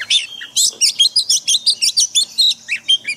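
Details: Daily forest-style training song of an Oriental magpie-robin for caged birds: a rapid series of short, chirpy whistled notes, about two per second, each slurred and fairly regular.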